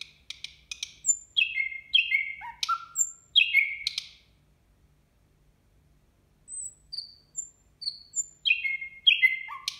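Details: At New Year a nightingale sings varied phrases: dry clicks, stepped descending whistles dropping low, a silent gap, then high pure whistled notes and more falling slurs.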